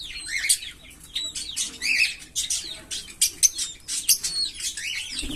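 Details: Green Fischer's lovebird pair singing: rapid high chattering of looping, slurred squeaky notes and sharp chips, nearly continuous throughout.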